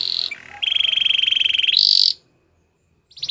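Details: Belgian canary producing a long pulsed rolling trill that rises to a higher roll, then stops into silence before a brief new phrase begins.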